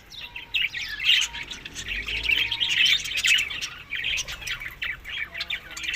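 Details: Pet budgerigars eating summer food produce dense, buzzy warbling mixed with clicky chirps. The sound grows busier through the middle, then eases into scattered notes.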